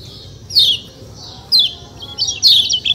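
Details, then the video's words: Three bright, high downslurred chirps from a white-eye known locally as kecial kuning, spaced about a second apart. The last chirp breaks into a short twittering run. "ciak ciak jos kecial kuning suara alam"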